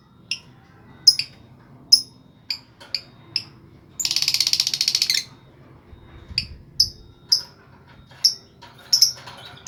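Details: Lovebird sound for stimulating other lovebirds to sing: short sharp single chirps spaced about half a second apart, interrupted by one second-long buzzy rattling burst.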